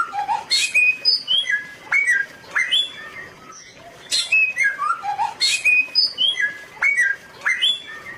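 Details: Bare-throated whistler, a bird endemic to Flores, East Nusa Tenggara, Indonesia, singing clear whistled notes in rapid varied phrases, rising and falling, repeated in bursts about every second, with some sharp clicking sounds.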